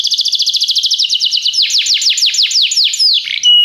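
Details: Canary training song: a rapid ticking trill that broadens into slower, deep downward-swooping whistles, then a short sustained high note at the end.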